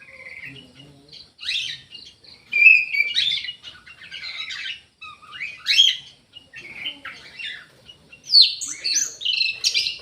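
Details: Aviary orange-headed thrush singing at length: a varied series of separate whistled and scratchy phrases, some rising sharply, spaced by short pauses and building to a loud, complex flourish at the end.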